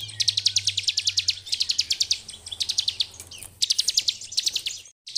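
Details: Bar-winged prinia master song in ngebren style: continuous bursts of rapid, piercing ticking notes in rattling runs of about a second each, with a low hum and a brief drop-out at the end.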